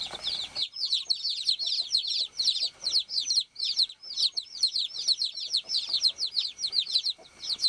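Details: After a short burst of broadband noise at the start, baby chickens on a farm peep continuously, many high, short, descending chirps overlapping in a lively chorus.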